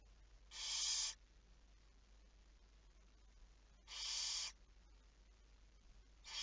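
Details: Barn owl recorded on 11 May 2019 at 23:34, giving harsh, hissing screeches of about half a second each, spaced roughly three seconds apart, over a quiet low hum.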